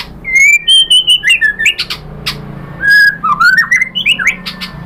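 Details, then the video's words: Whistled song of a white-rumped shama, sung to make rival shamas answer: level and rising clear notes strung together, a short pause, then a series of quick, upward-slurred phrases. "SUARA MURAI BATU bikin BUNYI jadi NYAUT GACOR BONGKAR MATERI ISIAN ¦ SHAMA BIRD"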